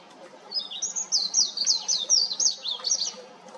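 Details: Warbling white-eye perched on an electric wire, singing a beautiful song: after a brief quiet start, a rapid chain of high, sliding notes pours out for about two and a half seconds, evenly bright and twittery.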